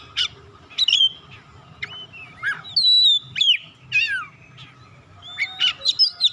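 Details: Oriental magpie-robin song meant to call other magpie-robins and stimulate silent ones to sing. Loud whistled sweeps and sharp chips come in bursts, with a quieter gap midway, over a steady faint hum.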